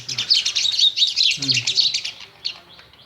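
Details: A myna kept at home chirps at its reflection in a mirror. It gives a fast, dense run of high, scratchy twittering notes that pour out without a break, then tail off into a few softer chirps.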